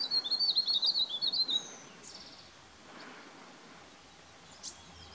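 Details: White-throated laughingthrush at Chopta, Uttarakhand, India, May 2016, giving a quick burst of about a dozen high, chirping notes over a second and a half, then a few faint calls against quiet background noise.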